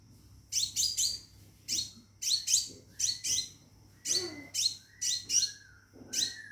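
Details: High, clear descending chirps in pairs and triplets from a caged Scarlet minivet calling for a mate, with short pauses between groups and a faint low hum.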